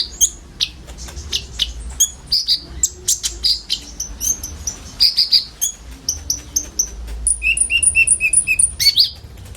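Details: Common iora filler song from many birds, used to draw in sunbirds; mixed high chirps and whistles, then a fast series of paired high and lower whistled notes repeated evenly.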